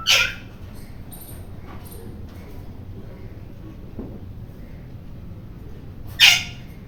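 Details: A rose-ringed parakeet screaming loudly; two harsh, piercing screeches, one at the start and another about six seconds later, with quiet between.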